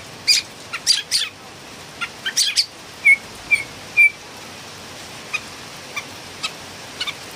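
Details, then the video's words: Philippine bulbul (pulanga), a loud singing bird: scattered harsh chirps, three clean short whistled notes spaced about half a second apart, then faint, sparse scratchy notes further off against light hiss. "PULANGA ma ingay talaga(singing bird)"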